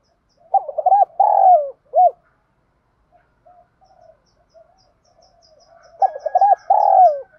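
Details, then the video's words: Spotted dove performing the 'thúc' contest coo to stimulate birds: a stuttering, long falling coo and arched final note, then faint soft coos and a quiet high ticking before the phrase starts again. "Tiếng chim cu gáy Thúc đấu gáy kích bổi cực nhạy, Chim cu gáy kích bổi mở lên gáy liền"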